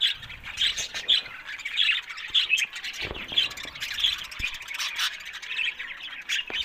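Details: Happy budgerigars giving repeated squeaky squawks and chirps, roughly two per second, over a constant scratchy warble of the flock.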